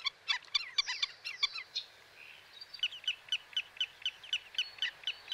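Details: Black-necked stilt calling with clipped, yelping notes that come in a quick cluster at first. A short whistled slur follows, then a steady run of evenly spaced sharp kek notes, about two per second.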